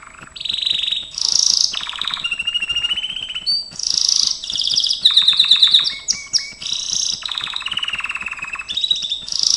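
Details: Gloster canary in song training, a long continuous song of alternating rolling trills, rapid buzzy rattles and clear whistled notes, changing tour every second or so, with soft ticking behind.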